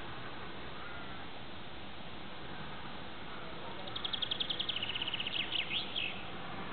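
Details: Spring courtship song of a European greenfinch, recorded from the stairwell window of an apartment block: after a few seconds of steady traffic-like rumble, a fast, evenly pulsed trill of high notes begins, then slides into a few lower, slurred notes.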